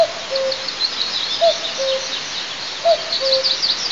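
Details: A common cuckoo near an eagle nest camera at Altynychi in south-east Tatarstan, 9 May 2024. It gives three clear cu-coo phrases, the second note lower and longer, with faint high twittering from other birds.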